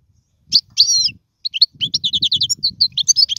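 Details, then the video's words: European goldfinch song used for teaching young birds to sing: a brief pause, then sharp high twitters that run into a quick, liquid string of chirps and trills, with a faint low rumble beneath. "اسمع المقنين واعطي رايك فيه,افضل تغريد لتعليم الفراخ"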